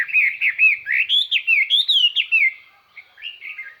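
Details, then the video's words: Chinese hwamei decoy bird singing a bright, far-reaching song to call in wild birds: a steady, rapid flow of loud, rolling whistled notes, ending with two quieter phrases. "tiêng chim hoa mi mồi hót"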